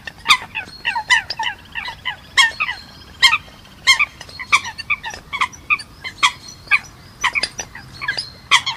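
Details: Many Eurasian coots trading loud, abrupt nasal calls, some sharp and clipped, others drawn out, overlapping in an uneven clamour across the whole stretch.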